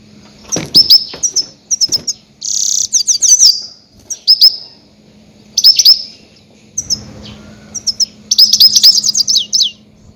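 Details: Loud goldfinch calls used to lure and hunt grey-headed goldfinches: high twittering runs of rapid chirps, a buzzy burst near the start, repeated clusters separated by short silences, and a steady low hum beneath.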